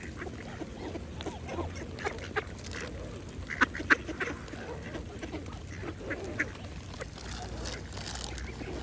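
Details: Feeding mallards at a pond: continual wet dabbling clicks, a couple of brief louder quack notes midway, and low murmuring calls in the background.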